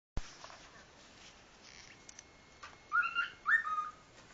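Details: A pet cockatiel playing with its foot and doing peek-a-boo gives two short, clear whistled phrases that rise and then fall.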